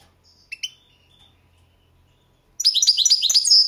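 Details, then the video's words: Balkan goldfinch recorded for a 2022 world championship song contest: a few thin chips and a soft whistle, then a sudden fast run of liquid, twittering, tinkling notes. "Pesma štiglića 008/22 World Championship in Goldfinch Song"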